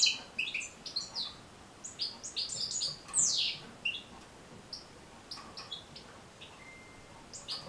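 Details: Song of a European goldfinch, used to train goldfinches to sing: quick, bright, twittering phrases of high chirps and buzzy notes, with a loud sweeping note near the middle and a sparser, quieter ending with a thin whistle.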